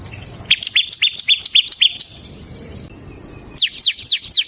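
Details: Bar-winged prinia (ciblek semi) in 'ngebren' song: a fast run of about nine clipped, high chips, a pause, then four sharper, steeply falling notes.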